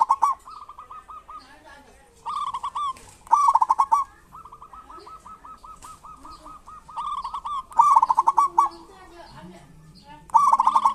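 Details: Actively singing local zebra dove of the kerot and bekur styles, used to coax quiet doves into singing: loud rolling trills repeated between long runs of soft, evenly paced, hooked coo notes, with low cooing underneath.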